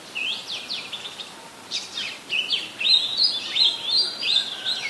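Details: Oriental magpie-robin in Ubon Ratchathani, Thailand, July 2021, delivering song: a few high whistles and downslurred notes, then a quickening stream of bright, warbling phrases that grows louder toward the close.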